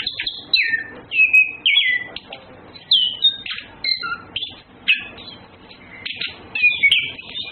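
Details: Courting male and female Orange-headed thrushes (Anis Kembang) sing a lively run of clear whistles, quick downslurs and short chirpy notes, packed into close bursts throughout.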